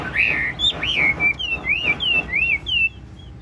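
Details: Chinese hwamei in a cage, a large bird singing ngũ trường style while nodding and dancing: rich, arching whistles that rise and fall, given rapidly one after another.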